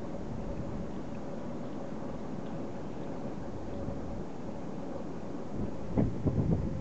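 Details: Low wind rumble fills the recording, with a few soft thumps near the end and no animal calls.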